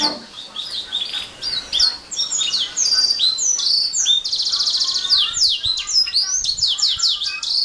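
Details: Atlantic canary in continuous song, fast varied phrases of high whistled sweeps, trills and buzzy rolled notes running without pause.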